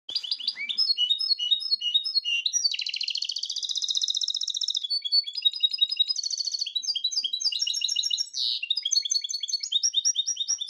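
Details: Goldfinch, described as grey-crowned, singing a mixed song: fast bright twittering phrases and rattling trills, with one long, rising buzzy trill near the start, repeated in varied, jumbled sequences without pause.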